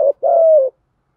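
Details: Single Thổ-style coo of a spotted dove, used to stir up other doves: a brief low note, then a long, smooth, gently falling hoot.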